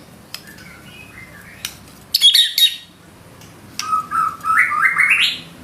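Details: White-rumped shama giving 'gacor' 'isian' fill-in song: faint high notes, a loud burst of harsh high chatter, then a rising sequence of rapid whistled notes climbing in pitch.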